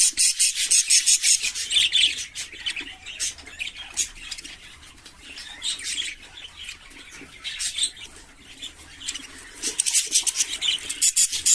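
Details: Budgerigars in an aviary chatter together in a busy flock of high, scratchy chirps and warbles.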